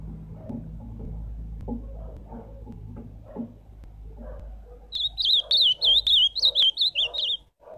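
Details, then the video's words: Ultramarine grosbeak singing live: after several seconds of low background murmur, a quick, sweet warbled phrase of rising and falling high notes near the end. "Canto do azulão"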